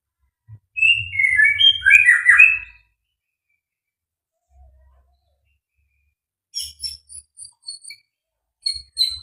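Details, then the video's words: Murai batu (white-rumped shama) with a full repertoire ('full materi'), fighter type, sings a quick tumbling phrase of varied whistles. A long quiet stretch follows, then a series of faint, high, thin ticking notes. "burung murai batu fighter full materi"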